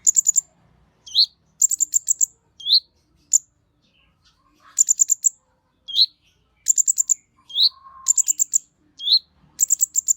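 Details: A lure recording of an olive-backed sunbird singing with agitation. Short bursts of four to six piercing, high notes alternate with quick slurred chips, all against a quiet, clean background.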